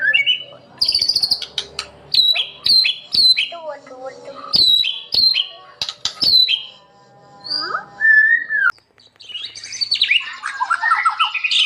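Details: White-rumped shama, a compilation of lively singing birds used as master recordings to train other shamas; varied song of clear whistles, sharp high notes and sweeping slurred phrases, with pauses between bursts.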